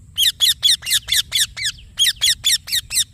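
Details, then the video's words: Indian ringneck parakeet repeating loud, grating chirps roughly every quarter second, two runs of about six notes each split by a brief gap. "Green Parrot Chirping Sounds / Voice"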